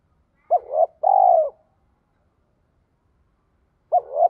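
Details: Spotted dove cooing in a voice used to prompt captured doves to coo. A double-pulsed hoot, then a steady held coo; after a silence of over two seconds, another double-pulsed hoot.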